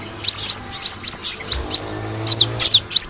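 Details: High, thin sunbird chirps used as a lure for kolibri wulung, delivered in quick clusters of sharply slurred notes with short pauses between groups.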